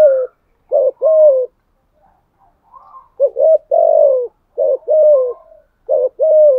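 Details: Continuous 'thúc gù' cooing from a decoy spotted dove with a 'giọng thổ' voice: short clipped coos each followed by a longer mellow coo, repeated several times, with brief quiet murmurs between.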